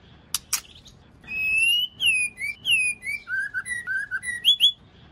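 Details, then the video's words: ['Female white-rumped shama sound used to stimulate males into singing; caged wild-caught males are said to sing right away on hearing it. Two sharp clicks, then a run of clear whistled notes sliding downward in steps, over a soft background hiss.'] "Tiếng Chòe Lửa Mái kích trống căng lửa/ bổi nghe là hót ngay"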